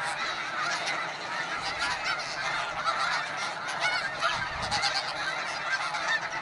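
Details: An Arctic breeding colony of snow geese, a living city of hundreds of thousands, produces a constant wall of honks and cackles, individual yelps rising briefly above the dense chorus.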